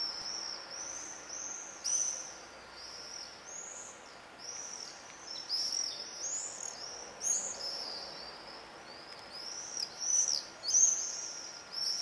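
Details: Common swifts investigating nest boxes in Leuven, July 4, 2015, captured from a living room: a busy stream of piercing high screams in bursts of several, with louder peaks near two, seven and eleven seconds.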